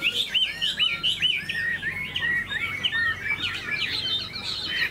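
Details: Caged, tame Chinese hwamei with fanned tail and eagle-style wing play sings a continuous string of bouncing, wavering whistles, each phrase rising and falling, delivered rapidly and evenly for the whole stretch.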